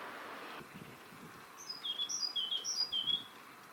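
A Great Tit sings a quick two-note phrase, a high thin note dropping to a lower one, repeated about four times. A brief hiss is heard first.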